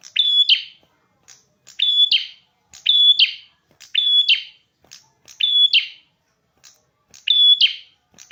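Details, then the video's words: Prinia with a red head, singing vigorously. Repeated phrases roughly every second: a brief rasp, a level piercing whistle, then a buzzy burst. Nothing else audible. "Burung perjak kepala merah gacor"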